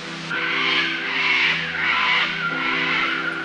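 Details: Cockatoos (identified as Australian cockatoos) give harsh, grating screeches in long overlapping bursts, about one a second, over soft background music, in the subtropical rainforest of Springbrook National Park, Gold Coast Hinterland, Queensland, Australia, on the Natural Bridge circuit.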